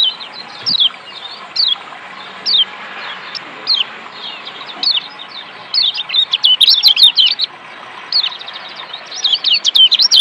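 A Lombok white-eye gives thin, high chirps about once a second, then breaks into quick bursts of tumbling, twittering notes.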